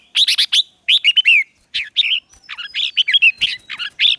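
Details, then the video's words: Red-whiskered bulbul used as a lure, singing its fighting song to call wild birds; near-continuous chattering phrases of fast slurred whistles, with a faint thin steady whistle in the background. "CHÀO MÀO MỒI HÓT GỌI BỔI DỤ BỔI Bổi Yếu Cũng Về Đấu Tiếng chim mồi hót gọi đàn"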